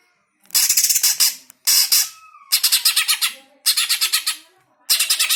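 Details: Greater green leafbird, played to provoke pet birds into singing; loud harsh rattling bursts of rapid raspy notes, each about a second long, in four or five bouts separated by short pauses, with a faint whistled note between bouts.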